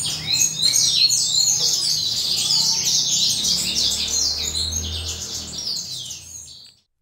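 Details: Sunbathing adult male Western Citrils singing on a morning shortly before breeding. Dense, high, chattering song from several birds fades out near the end, with a low hum underneath.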